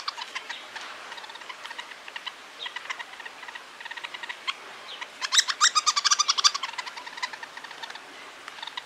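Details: Fledgling Hairy woodpecker being fed by its father in Toronto: faint scattered chips at first, then a loud rapid run of sharp, clustered chirps in the middle before fading back to soft notes.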